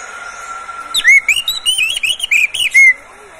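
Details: Oriental magpie-robin, a caged bird, with a song meant to get others singing: a loud two-second run of clear, bouncing whistled notes rising and falling, ending on a sustained whistle, over a steady faint hum.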